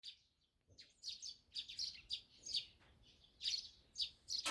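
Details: Eurasian tree sparrows chattering in the morning around a countryside house: short bright chirps repeated about once a second in uneven bursts, several overlapping, over quiet background.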